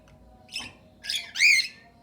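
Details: Aviary cockatiels kept alongside budgerigars, singing their natural calls in contentment: three harsh, harmonic squawks in quick succession, each louder than the last, the final one a bright arched screech.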